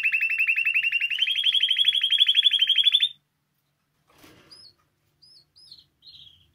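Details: Spanish timbrado canary singing for song training: a fast, even trill of rapid pulses repeated about four per second, stepping up slightly in pitch midway, then stopping, followed by a few faint short chirps.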